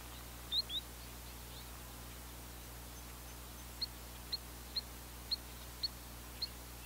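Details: Spotted sandpiper calling: a pair of sharp high notes near the start, then after a pause a run of six short, clipped high peeps spaced about half a second apart, over steady low hum.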